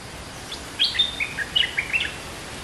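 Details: Caged olive-winged bulbul, two months in captivity, singing a lure song in a decent style with a doubled phrase: a short burst of bubbly, warbled notes rising and falling in quick succession over quiet background hiss.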